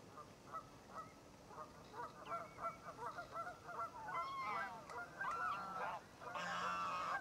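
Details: Red-necked grebe at Diependal, recorded on a Panasonic HDC-SD80 camcorder: a quick run of nasal, honking notes, then louder drawn-out wailing, braying phrases toward the end over faint background hiss.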